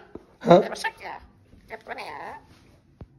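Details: A pet rainbow lorikeet talks during its morning routine in two short bursts of raspy, speech-like chatter, with a few soft clicks in a quiet room.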